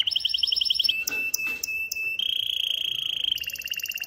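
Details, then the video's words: ['Caged male canary, worked up, stimulating a female to mate: a bubbling trill, sharp clicking notes, a long sustained whistled tone with pulsing overtones, then a fast high rattle.'] "تغريد ذكر كناري هائج يريد تكسير القفص يحفز الأنثي لتزاوج"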